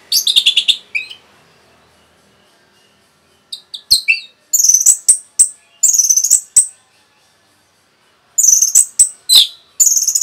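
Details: Orange-headed thrush with a rapid, provoking song: a rattling run of high notes, then clusters of loud, piercing down-slurred whistles and chips delivered in quick succession with short breaks.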